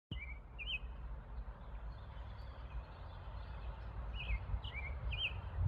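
A robin sings short, high, thin warbling phrases at the start and again near the end, over a steady low rumble of background noise.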